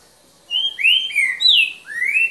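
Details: Green-winged saltator giving its "boca mole" song style, evening recording from 3 January 2019; a rich sequence of five slurred whistles, alternating falling and rising, closing on a long upward-sweeping note.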